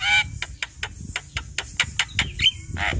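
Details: Javan myna chattering as a master recording for training birds, a regular series of short harsh notes about three per second over a low rumbling background, ending in a whistle.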